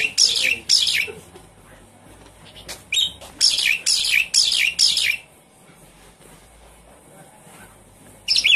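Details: Javan pied starling calling, used as a lure to get a silent bird singing: rapid series of loud, raspy, descending bursts in two bunches, then near silence before one final burst.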